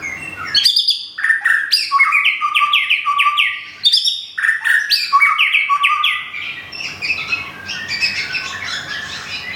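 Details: Captive white-rumped shama of the Thung Song type from Thailand, recently moved to a new home and moulting, its feathers nearly regrown. It sings loud, varied phrases of fast whistled and chirping notes that leap between high and low pitches, with one short pause.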